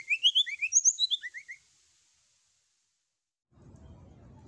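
A rapid burst of high, sweet whistled notes sliding up and down for about a second and a half, then silence and a low rumble of background noise.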